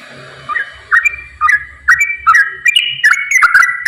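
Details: Yellow-vented bulbul in rapid "ropel" song, meant to spur reluctant bulbuls into singing: short loud whistled phrases that start apart and speed into a dense, chattering run of rising and falling notes.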